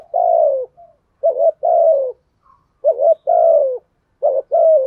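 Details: Lure spotted dove calling in 'thúc gù' with 'gáy gọi' fashion: three quick phrases, each a pair of abrupt notes running into a long, mellow coo that slides downward, with short silent breaks.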